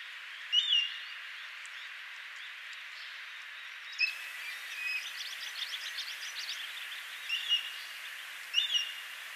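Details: An Altai accentor near Tungnath Temple, Uttarakhand, India, at about 3500 m, gives short, sharp high chirps a few seconds apart, with a soft twittering run in the middle, over a steady hiss of wind or water.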